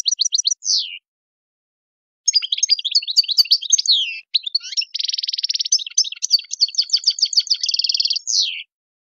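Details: Tadmait-style song of a European goldfinch, meant as a tutor for young birds: a short burst of quick chips, a pause, then a long lively twitter with a dense buzzy trill and rapid repeated notes, ending on a falling slur.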